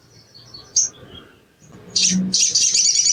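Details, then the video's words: Green-plumaged crimson sunbird (sogon ijoan) in training audio to speed up singing: faint high notes and a single sharp chirp, then a loud rapid high trill of continuous twittering. "TERAPI BAHAN SOGON IJOAN CEPAT BUNYI"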